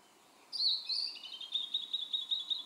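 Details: Blue-and-white flycatcher on Mount Maya, Japan, in June: a bright whistled note slurring downward, running into a long rapid series of short repeated high notes over two seconds, with quiet hiss behind.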